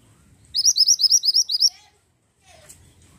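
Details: Pied bushchat in full voice: a rapid phrase of about nine high, upslurred whistled notes in steady rhythm, followed by a brief pause and faint low background noise.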